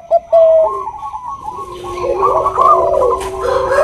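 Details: Female zebra dove of the Bangkok type calling a male: a short clear coo opens, then overlapping low and mid-pitched cooing grows into a dense, rolling chorus.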